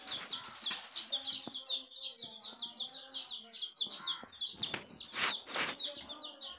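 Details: Many coloured baby chicks calling at once, a dense chorus of high, piercing falling peeps that barely pauses, broken by a few harsh scratchy bursts and soft low background rustle.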